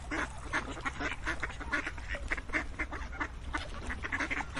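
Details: A flock of ducks quacking together in a dense, overlapping chorus of short, nasal, rasping calls that come in rapid bursts, with a low steady rumble underneath.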